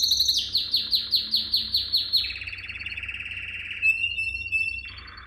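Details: Canary song for training young canaries: slurred high notes repeated rapidly, a long buzzy mid-pitched roll, a thin steady whistle, then a sudden lower harsh trill.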